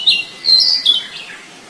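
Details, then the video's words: Wild flycatcher: a short burst of high, slurred chirps, two bright notes followed by a falling trill-like phrase, over quiet natural background. "Burung sikatan di alam liar"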